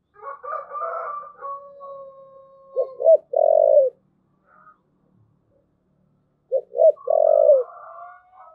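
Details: Two thúc gù phrases from a spotted dove, each two short clipped notes and a long low coo, about four seconds apart. Softer, higher wavering cooing overlaps them.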